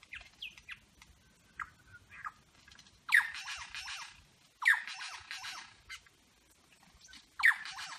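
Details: A superb lyrebird in Berowra Valley National Park, Australia, sings a mimicry medley of eastern whipbird, red wattlebird, rainbow lorikeet, grey butcherbird, pied currawong and a motor-like sound: whistled and chirped notes, then loud harsh crackling bursts with falling notes.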